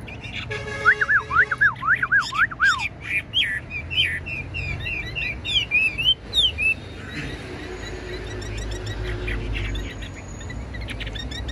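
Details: Tame caged Chinese hwamei, a Bánh tẻ type with a large spread tail, singing rapid zigzag whistled phrases that climb and dip, repeated several times a second, before fading into quieter background chatter and hum.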